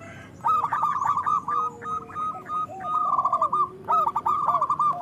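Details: Zebra dove song used to lure and train local doves: lively runs of short, ringing coos repeated in quick succession, joined by softer lower curving notes underneath.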